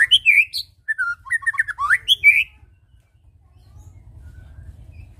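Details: White-rumped shama song used as a lure for other birds: a burst of varied whistled and warbled phrases with sharp rising slurs over about two and a half seconds, then near silence with a low rumble.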